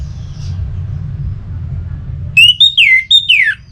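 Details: Song of an Orange-headed thrush, played to encourage other birds to sing: after a quiet stretch of low hum, a loud burst of clear whistled notes, some rising, others sliding sharply downward, in quick succession.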